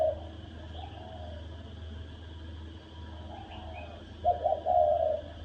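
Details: Spotted dove uttering a thổ đồng fighting call to rouse rival males. After a quiet stretch with faint distant coos, one louder hoarse coo arrives near the end: a clipped double note, then a longer one.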